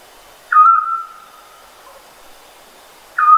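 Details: Scops owl giving one clear, pure whistled note with a sharp start and a long fading tail, followed by the next identical note about 2.7 seconds later; quiet background.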